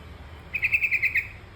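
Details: Yellow-vented bulbul (trucukan kebo). A quick run of seven clipped, bright notes at a steady pace, over a low background rumble.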